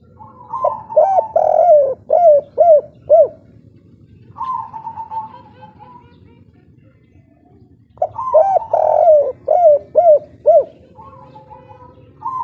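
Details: Spotted dove of local stock singing the kuk 3 style forcefully: two bouts, each a long soft coo leading into four or five quick, rounded, throaty coos, with a pause between bouts and faint background hum.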